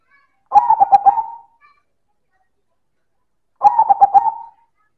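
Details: Zebra dove, silver perkutut, cooing loudly in manggung fashion: two rhythmic phrases of rolling, pulsed soft coos closing on a longer drawn note, spaced about three seconds apart in quiet surroundings.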